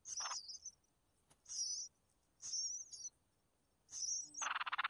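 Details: Red-whiskered bulbul chicks being fed by their mother: three or four high, thin wavering squeak bursts about a second apart, ending in a loud, harsh broad rasp.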